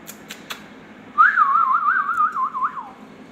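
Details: Pet rose-ringed parakeet, a ringneck, indoors, giving one loud warbling whistle of about two seconds that wavers up and down in pitch and slowly falls at the end, after a few soft clicks, in a quiet room.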